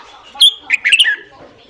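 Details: Morning song of a red-whiskered bulbul for training newly caught birds: a single crisp phrase that opens with a bright whistled note, followed by three quick, tumbling warbled notes.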